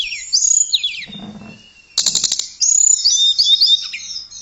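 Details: Song of a blue flycatcher (tledekan), recorded to train other songbirds: falling whistled slurs, a brief lull with a soft low rustle, then a dense high chatter and looping twittered notes.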